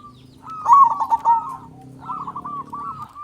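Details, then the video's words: Zebra dove lure song from a loud local bird: a rapid rolling burst of clipped coo notes, a pause, then a softer second phrase of spaced notes over a low background hum. "Perkutut Lokal Gacor Suara Besar Pancingan Burung Perkutut Agar Cepat Bunyi"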